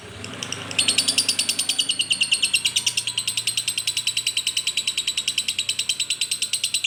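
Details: Lovebird song, a rapid high chattering trill of repeated buzzy notes, about three per second, steady from the first second to the end, indoors with a faint low hum beneath.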